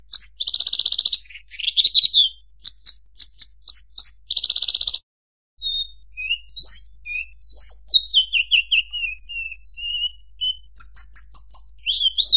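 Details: Bushlark song with pulsed buzzy bursts and sharp chips, a short silence, then a long sequence of varied whistled slurs drifting downward, ending in rising and falling chirps.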